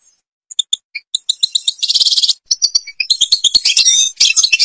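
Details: European goldfinch singing in the Babas forest, Tiberli, Algeria: rapid twittering song of bright high notes, clipped chirps, and buzzy trills, delivered in quick bursts with brief pauses.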